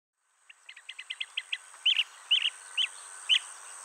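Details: Blue-tailed bee-eater near its nest-hole, where a male brings insects caught mid-air to its mate: a quick run of short chirps, then louder rolling trilled notes spaced about half a second apart, over a steady high hiss.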